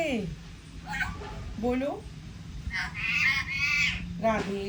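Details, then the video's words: Pet talking parrot chattering at length, giving a string of voice-like syllables with rich stacked tones, some sliding down, others rising, and a bright, higher-pitched burst of phrases near the end, indoors with low background hum. "Bolne vala tota"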